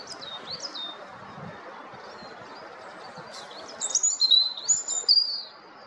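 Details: European robin song: high, thin, varied phrases of sliding whistles and quick trills, quiet at first, then louder tumbling bursts near the end over a low, steady background hiss.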